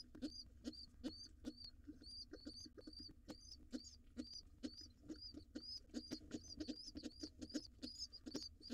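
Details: Wild pigeon nestling, late to breakfast with its father at a nest box; rapid series of shrill, hooked peeps, about two each second, some doubled, with soft knocks and a low steady drone behind.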